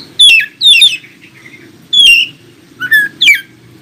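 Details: Song of an Oriental magpie-robin, meant to get other magpie-robins answering and singing: five short, sharp whistles that slide downward, delivered in irregular pairs and singles with quiet gaps between.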